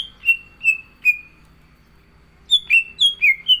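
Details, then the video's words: Captive green leafbird in full, vigorous song: three clear, descending whistled notes, a pause, then five quick slurred whistles falling in pitch. "CUCAK IJO GACOR ISIAN"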